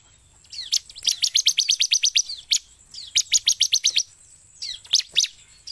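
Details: Energetic Bar-winged prinia song, used to lure birds: fast rattling trains of high, sharp notes, each train about a second long, separated by short pauses and a few thin downslurred whistles.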